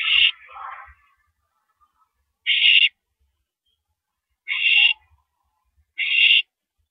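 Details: At 9:17 PM on April 13, 2012, during a mouse delivery, an owl gives rasping screeches, the first trailing into a lower chittering sound, then three more hissing shrieks at irregular intervals with light knocks.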